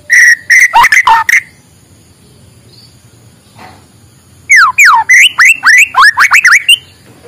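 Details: White-rumped shama in the morning, used as a lure for reluctant singers: a brisk cluster of whistled notes, a quiet gap, then a cascade of loud downward-sweeping whistles delivered rapidly one after another.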